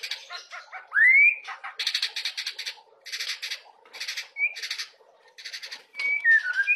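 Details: Young white-rumped shama singing its fill-in song content: a loud rising whistled slur, then repeated buzzy rattling bursts and short whistled notes, with pauses between phrases.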